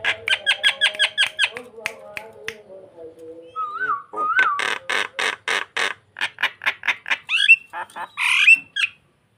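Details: Starling singing to lure another bird into nodding: rapid, evenly spaced harsh chattering notes, a pair of short wavering whistles, more loud grating bursts, then a final scratchy, rising phrase.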